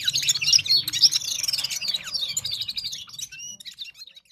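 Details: Gulsar singing in Parachinar, Himalaya: quick bright chirps and thin whistled twitters tumbling together, loud at first and fading toward the end, over a faint low murmur.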